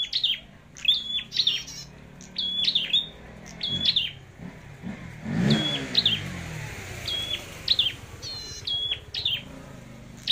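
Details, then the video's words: Flowerpecker singing in a singing competition: sharp, high chirped notes repeated in quick bursts of two or three, with a vehicle passing loudly midway and a low engine rumble throughout. "Chim Sâu Đầu Đỏ Hót Đấu"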